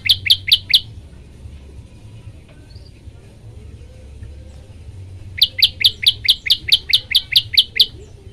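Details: Olive-backed tailorbird in a training recording used to set other birds singing: four rapid sharp chirps, a pause of several seconds, then a fast, even series of about twelve high rising notes.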